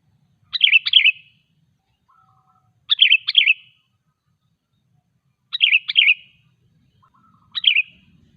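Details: Sooty-headed bulbul song meant to prompt other bulbuls to sing or to draw wild ones closer in forest: four quick chortled phrases of two or three liquid notes, spaced about two and a half seconds apart, with soft thin notes between.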